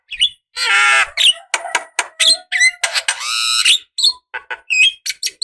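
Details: Javan myna, a female calling to a male, used as a decoy recording: harsh nasal squawks, wailing notes and short chirps in an irregular, chattering sequence.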